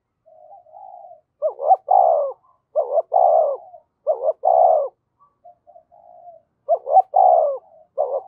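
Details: Spotted dove used as a decoy bird, cooing eagerly: soft low notes followed by repeated deep two-part coo phrases, each burst about half a second, with short quiet gaps between.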